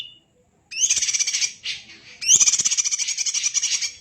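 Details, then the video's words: Greater green leafbird from a champion tutor recording. A brief high whistle is followed by two long, harsh, rapidly pulsed buzzy rattles, delivered densely in the kacer-like style. "Burung Cucak Ijo Gacor Suara rapet - cucak hijau Gacor rasa kacer"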